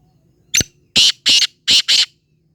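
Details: Black francolin giving a loud rasping call: a short opening click, then four harsh grating notes in two quick pairs, all packed into under two seconds, with nothing else heard.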